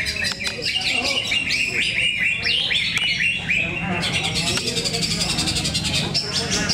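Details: Greater green leafbirds in a singing contest at Cikeas, Monday 21 October 2024; loud, dense whistled phrases with rising and falling slurs overlap, several birds calling at once, with crowd chatter and a low hum underneath.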